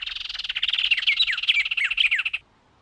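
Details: Brazilian Cerrado birds in a rapid chattering song of bright chirps and falling whistles that builds for over two seconds, then ends abruptly into near silence.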